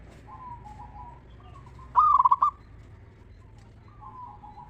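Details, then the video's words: Indonesian local zebra dove giving its crisp 'ngeristal' song, used as a lure so other zebra doves sing back. Soft drawn coos surround one loud burst of six fast stuttered notes in the middle. "Perkutut Lokal Gacor RAJA PIKAT Suara Ngeristal Paling Ampuh Bikin Semua Perkutut Nyaut Gacor"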